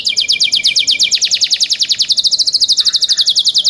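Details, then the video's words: Young canaries cared for by their owners deliver a continuous, very fast high trill of repeated notes, steady and ringing throughout. "MEDIOUS SONG OF YOUNG CANARIES"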